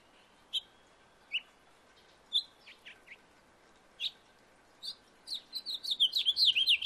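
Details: Backyard house finch giving sparse, separate chirp notes over faint background hiss, breaking into a quick warbled song phrase near the end.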